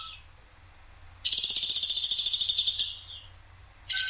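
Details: Sampit woodpecker, clear-voiced, with a coarse, sharp call on a masteran tutoring recording: one sustained grating rattle of fast pulses lasting about one and a half seconds, then silence before another begins.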